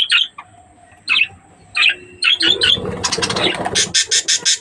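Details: Budgerigars kept for breeding: three or four short chirps about a second apart, then a noisy patch and a string of evenly spaced harsh, raspy pulses.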